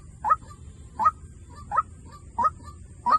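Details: Five harsh, rising clucks from a White-breasted waterhen decoy call, each followed by a short softer echo-like note, spaced about 0.7 seconds apart over low rumble and a faint high hiss.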